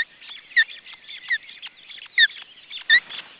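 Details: Osprey nest with two chicks, June 2012: three or four strong downward-sliding whistles, each with a bright upper overtone, punctuate a dense layer of quiet high-pitched chatter.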